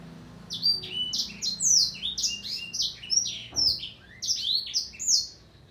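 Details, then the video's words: Black-throated canary delivering a continuous, lively song of quick, sharply rising and falling whistled notes, packed closely together in rhythmic bursts, with a soft low hum underneath. "Ocehan burung sanger blackthroat"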